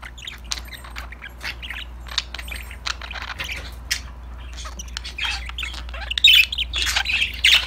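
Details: Budgerigars chatter to one another at play with sparse, scattered chirps and clicks that give way to louder squeaky bursts near the end. A steady low hum sits beneath the calls.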